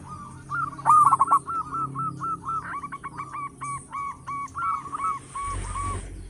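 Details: Loud local zebra dove song used to attract other doves: a steady chain of short level coo notes, one louder stuttering burst early, and a low rumble at the very end.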